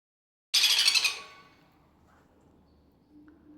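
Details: Sun conure chick being hand-fed, giving one brief harsh, raspy, high-pitched squawking burst lasting under a second, followed by quiet room background.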